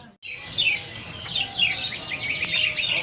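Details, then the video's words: Straw-headed bulbul song in a bright run of quick, looping whistled phrases, with rising and falling notes tumbling over one another, and a faint steady background hiss. "Burung Cucak Rawa"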